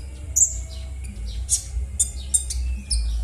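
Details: Rough konin bird call used to coax silent konin birds to sing; a few sharp, high, buzzy notes and falling slurs, separated by short pauses, with a steady low hum.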